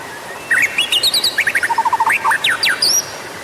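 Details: White-rumped shama lure song. Within three seconds it delivers quick stepped whistles, a run of short descending notes and sharp rising slurs, all clear and loud.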